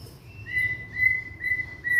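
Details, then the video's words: Young white-rumped shama from Indonesia, song meant to stir quiet shamas into singing; four clear, level whistled notes held steadily at one pitch, evenly spaced about half a second apart, over a soft low hum. "Murai batu muda tunjukan pesona,cocok buat pancingan murai macet bunyi"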